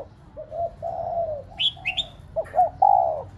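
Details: Spotted dove used as a decoy to stimulate pet doves, giving soft low coos, a long sliding note and then a clipped double note ending in a longer coo, while a small bird chirps higher up.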